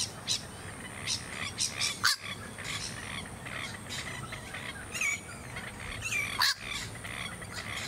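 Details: Masked lapwing, also called spur-winged plover, filmed on the Sunshine Coast, Queensland, in January 2022: short harsh bursts of calls in scattered clusters, some notes sharper and louder, over steady low rumble and hiss.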